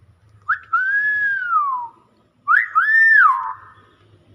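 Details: Common hill myna producing two drawn-out, clear whistled phrases about two seconds apart. The first arcs and slowly falls. The second rises sharply, holds level and then drops. A soft low hum sits underneath.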